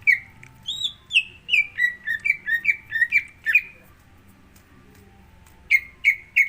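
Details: Greater green leafbird song played to prompt another bird to sing: quick whistled notes stepping downward into a rapid repeated series, a silent gap, then three more whistled notes.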